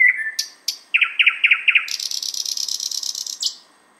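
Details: Thrush nightingale song heard in Finland, outside a window: a slurred whistle and sharp notes open into a series of loud clicking strokes, then a long rapid metallic rattle lasting over a second.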